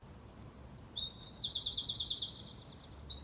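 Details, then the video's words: A Eurasian wren gives its loud, explosive song in a sudden burst: quick twittering notes, then a fast trill of about ten sharp pulses, ending in a thin buzzy rattle. "So the wren comes out with this brilliant sudden burst of sound. It's a long series of rattles and trills."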